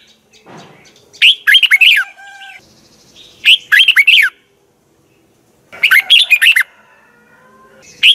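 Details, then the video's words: Red-whiskered bulbul morning training song, double twisted-voice type: three lively warbled bursts of fast up-and-down notes a couple of seconds apart, with soft chirps in the gaps. "Luyện chào mào hót sáng 2020, Giọng kép xoắn 6789 Quá hay hót căng lửa, luyện chào mào hót"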